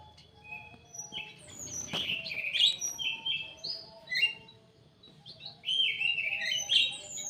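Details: Kidangan kaso kaso, an Indonesian bird in a captive breeding aviary, gives a lively run of sweet whistled notes and chirps, high and wavering, repeated in quick clusters; one sharp knock early on and faint lower tones behind.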